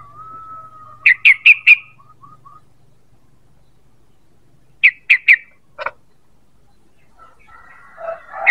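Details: Sooty-headed bulbul calling, used to lure birds: a soft, level whistle, then four quick sharp chirps. Two series of three or four chirps follow, with a pause between them, and a fainter chattering sound at the end.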